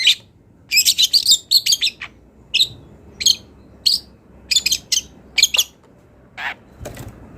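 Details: Long-tailed shrike, a wild bird singing vigorously with borrowed mimicry phrases. Clusters of sharp, high, scratchy chirps come in quick groups with short silent gaps. One lower, softer note sounds near the end.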